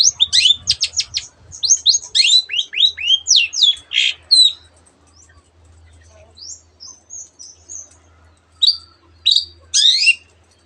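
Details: Long-tailed shrike performing a song packed with canary and other birds' phrases: a fast cascade of high falling notes, then scattered short whistles and twitters, with a low hum underneath.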